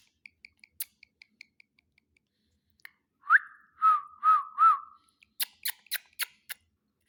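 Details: Pet ring-necked parakeet talking: a quick run of faint, high ticking clicks, then four short, clear whistled syllables around the same middle pitch, each slightly rising and falling, followed by sharp dry clicks.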